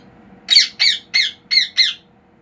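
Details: Pet parrot indoors giving five harsh, raspy squawks in quick succession, evenly spaced about a third of a second apart, over a faint steady room hum.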